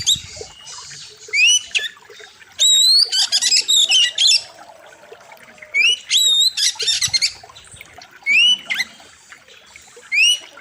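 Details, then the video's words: Oriental magpie-robin song used as a master recording for training birds: loud bursts of rising whistles, harsh buzzy notes and rapid chattering phrases, separated by short pauses, over a faint background hiss. "Masteran Kacer Gacor Tajam Full Isian"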